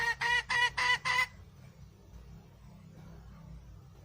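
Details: Five quick, reedy cackling notes from a wild red junglefowl hen, followed by quiet background noise.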